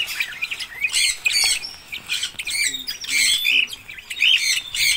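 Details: Several red-rumped parrots give loud, raspy squawks and shrill chattering notes in overlapping bursts, with short pauses between outbursts.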